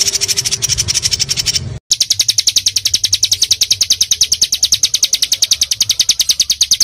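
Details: Small songbird in a masteran recording for training pet birds, delivering dense rapid-fire 'tembakan' song. A high buzzy phrase breaks off, then sharp, even notes repeat about three times per second for several seconds, with a faint low hum beneath.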